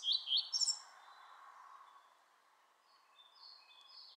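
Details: European pied flycatcher song: a short, loud, high, warbled phrase of quick alternating notes at the start, followed by quieter, thin, high notes near the end.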